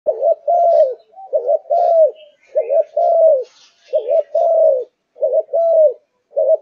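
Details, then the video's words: A Malaysian-strain zebra dove in full, fiery song form sings a steady run of soft, low, rolling coos in short paired phrases, each about a second long, with faint chirps in the background. "Cu Gáy Malaysia Căng Lửa"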